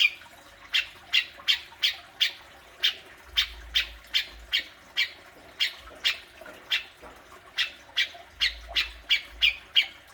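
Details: Grey-cheeked bulbul besetan, a fierce call used to stir a kept bird into calling: rasping squawks in an uneven series of roughly three per second, some closely bunched near the end, over a quiet low background hum.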